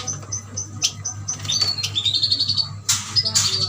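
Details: Yuhina from Kalimantan, bought wild-caught from a mixed batch of birds, kept caged: high thin chirps and short whistled notes, a brief trill, indoors with a steady low hum.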